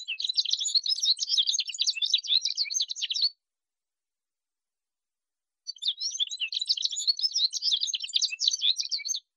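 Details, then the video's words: Male Atlantic canary delivering two long, dense high-pitched trilling song bursts of rapid twittering notes, each over three seconds, separated by a silent gap of about two seconds. "Вьюрок канареечный. Кенар Канарейка. Голоса птиц"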